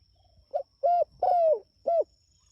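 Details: Spotted dove calling to its companions, giving one full phrase: a short soft coo, a rounder coo, a long sliding coo that drops at the end, then a final crisp coo; a thin constant high-pitched hum sits in the background.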